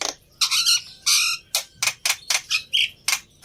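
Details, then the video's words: Lure song of a black-winged myna, used to make a quiet bird start singing. Loud grating squawks come in short separate bursts, several with a steady whistled tone underneath, at an uneven rhythm. "Tes Dengan Suara Pancingan Burung Jalak Putih Ini Di Jamin Nyaut"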